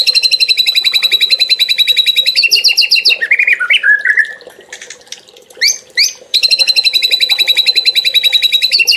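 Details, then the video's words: Murai singing a loud, clean trotol-style phrase: a rapid, even string of bright repeated notes for about three seconds, then varied slurred whistles and chirps, then the rapid repeated series again. No other sounds. "MASTERAN MATERI MEWAH MURAI JUARA & TROTOL JAHAT"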